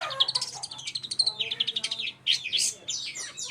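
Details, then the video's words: Long-tailed shrike singing in a varied, chattering stream: rapid repeated chirps and whistled notes, then louder rising and falling sweeps and harsh buzzy phrases, with a faint low hum beneath. "cendet pastol"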